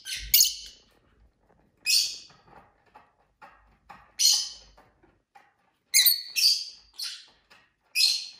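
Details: Pet lovebirds in a small indoor flock, calling with sharp, scratchy chirps in quick bursts, several loud ones toward the end, separated by soft ticking and rustling noises.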